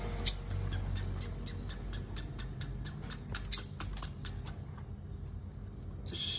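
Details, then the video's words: Sunbird in competitive singing, giving two sharp, very high thin notes with quick upward flicks. A steady run of rapid dry clicks ticks underneath throughout, with faint low background hum. "Hút Mật 7 Màu Hót Đấu"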